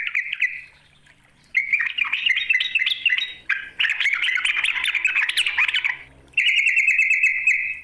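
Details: Yellow-vented bulbul calling out a rival: a short opening note, a pause, then a long fast babbling chatter, ending with a steady buzzy trill; faint low hum underneath.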